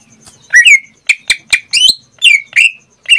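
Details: Indonesian caged greater green leafbird producing rich slurred whistles alternating with sharp click-like notes, roughly two to three sounds per second.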